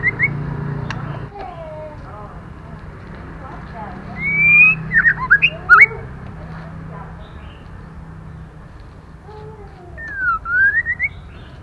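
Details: Female white-rumped shama calling to stimulate male birds: scattered clear whistled notes, some gliding up and others sliding down, with a short burst of quick rising whistles midway and another near the end, over a low steady hum.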